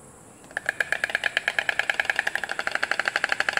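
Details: White Stork pair bill-clattering on their nest: a rapid, hollow wooden rattle of about nine knocks a second that starts abruptly and keeps a steady pace, with faint background hum.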